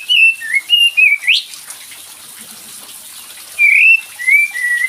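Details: Cream-vented bulbul lure recording: a few warbling whistled notes and a rising slur, a quiet gap, then another short string of level and dipping whistles over a constant rushing background.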